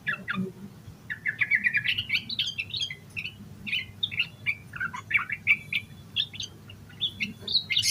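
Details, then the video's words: Yellow-vented bulbul song packed with varied phrases, meant to coax other bulbuls into singing: a brief pause, then a continuous chatter of rising and falling whistled notes, ending in higher sharp chirps. "Suara Burung Trucukan Gacor EMOSI KOSLET Full Isian Buat Pancingan Burung Trucuk Agar Cepat GACOR"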